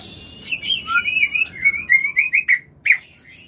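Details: White-rumped shama mating call used to bring birds into breeding condition: rich whistled phrases around the upper-middle range, slurred notes and quick chirps with sharp clicks, varied and lively.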